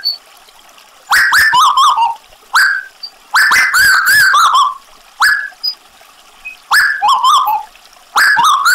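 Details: Lively Tuwu bird with added trickling water. Clear whistled phrases rise sharply, then quaver and fall. They come in short groups with quiet gaps, and crisp clicks are heard between them.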